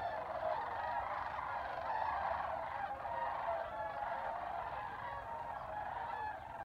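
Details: A flock of sandhill cranes on spring migration at Albuquerque, New Mexico: continuous overlapping rattling calls, with some clearer purring trumpet notes standing out from the chorus.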